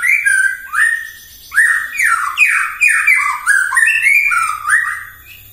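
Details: White-rumped shama in full morning song, played to provoke rival birds: a steady stream of clear, downward-slurring whistled phrases repeated in quick succession, full and melodious.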